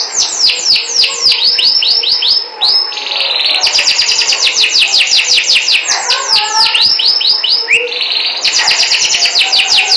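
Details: Canary singing melodiously: fast rolling trills of high, downward-sweeping notes, repeated in long bursts with brief changes of phrase and hardly a pause, with a faint low murmur beneath.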